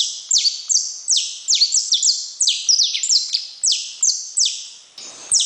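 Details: Saffron finch song: rapid, evenly paced bright chips sliding downward, roughly three per second, with reverberation and a brief rustle near the end.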